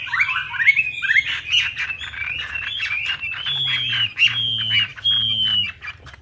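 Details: Chinese hwamei song used as a lure to get silent birds singing: rich, varied whistled phrases sliding between mid and high pitch, ending in three long level whistles, over a low repeated droning hum.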